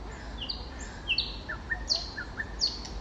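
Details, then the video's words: Common nightingale in spring giving a loose phrase of high whistles that slide downward, mixed with short lower chirps spaced irregularly, over soft low background noise. "Соловей-разбойник 🎧🤣 Nightingale the Robber"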